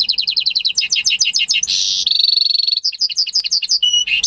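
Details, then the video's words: Goldfinch hybrid from its owner's own breeding, the only singer kept, recorded in May 2015: a dense run of rapid twittering notes breaks into a long buzzy rattle, then more quick chirps and a whistled note. "Saka Melezi Ötüşü"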